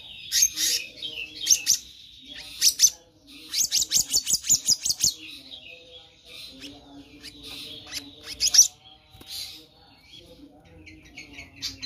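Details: Black-naped monarch (Hypothymis azurea) song: sharp, high chirps and a quick run of about eight evenly spaced ringing notes over a faint low hum.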